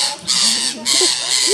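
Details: Rose-ringed parakeets in Gir Forest, Gujarat, India, on 3 April 2015 harass a rat snake. Two loud, harsh, drawn-out rasping screeches follow almost without a gap, while a person speaks softly underneath.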